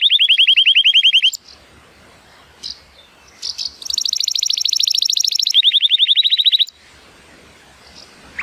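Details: Male Timbrado Español canary, rated 83 points and born in 2018, sings in sunshine: a rolling trill, a pause with faint chips, then a high sustained buzzy tour falling into a lower rapid trill.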